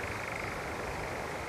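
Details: European nightjar churring from a tree on summer heathland at RSPB Arne, Dorset, a breeding visitor from Africa: a steady, fast mechanical trill running unbroken like a distant engine over soft background hiss.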